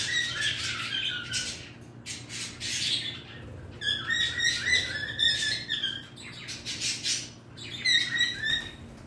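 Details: Extended singing by a pet bird: repeated chattering whistles with buzzy overtones, several bursts of rough noise, and short pauses between phrases over nine seconds.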